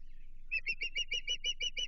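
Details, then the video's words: Chesapeake nest osprey reacting to a stranger, June 2023: after a brief pause, about nine piercing, clipped chirps follow one another quickly and evenly, with a faint low hum beneath. "A Bluefish and Stranger Danger - Chesapeake Osprey Nest"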